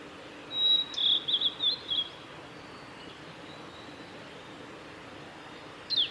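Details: Male Blue-and-white flycatcher at Lake Miyagase's Kanazawa forest road, Japan, recorded 17 May 2020, gives one bright phrase of quick high whistled and warbled notes lasting about 1.5 seconds, then a long quiet stretch with faint hiss and a brief note at the end.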